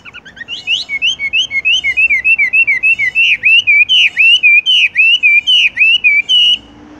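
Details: Caged Horsfield's bush lark in a hanging cage, singing the rolling style known locally as "tung roll": a fast run of loud, clear whistled notes, each a short up-and-down slur, repeated about three to four times per second for six seconds.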